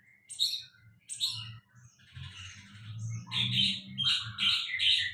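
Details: Sulingan laut giving two sharp high chirps, then a scratchy warble building into loud repeated whistled notes, over a low humming background.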